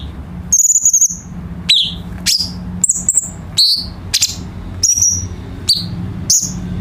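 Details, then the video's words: Tutor song of a cucak cungkok bulbul for teaching birds kept at home: bright, high whistled notes, some level and some sweeping down, given roughly every half second over a faint low hum. "KICAU BURUNG CUCAK CUNGKOK"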